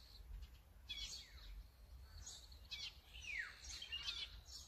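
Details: Azure-winged magpie filmed with a Sony A9 camera, giving several sharp calls that slur steeply downward, repeated a few times over about four seconds, with faint chirps and low rumble in the background.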